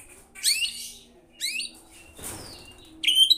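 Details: White-rumped shama in lively song: separated downslurred scratchy phrases, a brief rushing noise, then a high clear whistle with a sharp ending.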